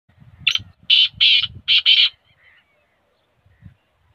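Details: A black francolin, also called black partridge, gives one loud call of five harsh, grating bursts: a single note, a pair, then another pair. Faint low knocking sounds come before the call and after it.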